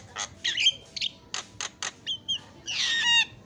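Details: Javan myna song used as a lure to get a silent myna singing: harsh, raspy bursts mixed with short whistled notes and a long squawking phrase near the end.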